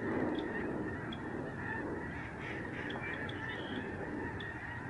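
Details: Snow geese flying overhead in a large flock, November 2011, at a protected migratory bird sanctuary in Canada. Many nasal, barking honks blend into a constant clamour, with a few sharper higher yelps standing out over low background rumble.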